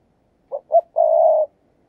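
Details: Spotted dove used as a perch decoy, cooing in the quick 'thúc gù' manner: two short rounded notes, then a long low coo, with nothing else heard.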